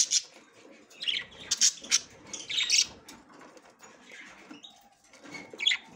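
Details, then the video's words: Female budgerigar inspecting the nest for the first time, giving a rapid series of sharp, high chirps and warbles. The calls thin out midway and then return as a last short burst. "أنثى البادجي تحاول دخول العش لأول مرة"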